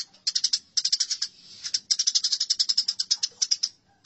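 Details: Fighting tree sparrows: steady stream of loud, clipped chirps, rapidly repeated, with a brief lull after the first two seconds.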